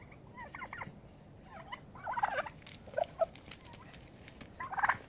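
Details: Turkeys fighting to exert dominance and set a pecking order; brief bursts of chattering, gobble-like calls in irregular clusters separated by quieter gaps, with scuffling and background noise.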